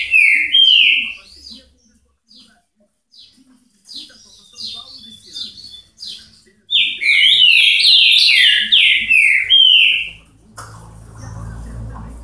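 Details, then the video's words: Azulão, the ultramarine grosbeak, in a Paraná song: a quick opening phrase of falling whistles, then quiet scattered notes, then a dense, loud run of rapid descending whistled notes before a sudden low rumbling noise. "azulão canto parana"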